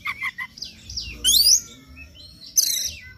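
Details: Lure song of an Oriental magpie-robin recorded in the morning: three short lower chirps, then rising whistles, a loud upward-sweeping phrase and, after a pause, a bright high flourish.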